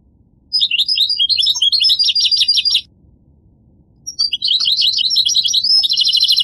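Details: Goldfinch song in two lively bursts of high, jangling twitters and trills, each about two seconds long and separated by a short pause; faint low background hum.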